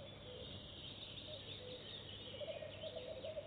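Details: Goosander visiting a nest box for the first time and laying eggs right away: a soft, rapid, pulsed chattering series builds up toward the end, over steady background hiss.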